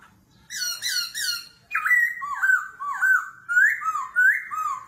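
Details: Laughingthrush in competitive singing with a wild-type voice, continuously changing its voice, in the 'kéo thuốc lào' style. Three quick high squeaky notes, then a run of loud, slurred whistles that swoop down and rise again, each about half a second apart.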